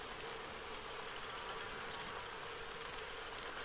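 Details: Bathing family of western yellow wagtails at Sweden's Lake Hornborgasjön, 15 August 2023: two quick, thin, downward-sliding high notes half a second apart, then another at the end, with a steady low hum behind.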